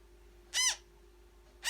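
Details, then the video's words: Newborn African grey parrot during feeding: a single short, hoarse, arched squawk with rich overtones, followed by the onset of another call, over a constant low hum and quiet room background. "African Grey Parrot newborn"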